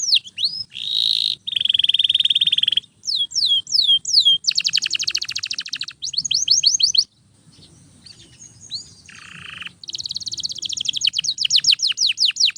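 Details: Continuous canary song for tutoring other canaries: alternating rolls of sharp descending whistles and harsh buzzy trills, about 167 note repeats per minute, with a quieter pause midway before the rapid phrases resume.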